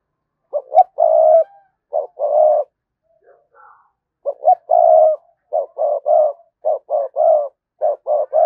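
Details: Cooing of a spotted dove used as a lure to stir wild birds: repeated phrases of quick clipped notes and longer held coos, separated by brief pauses, with no other clear sounds.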